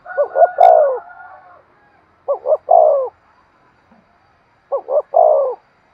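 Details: Spotted dove calling as a decoy for trapping wild birds, three coo phrases of two short notes and a longer one, spaced about two seconds apart, with a brief click early on.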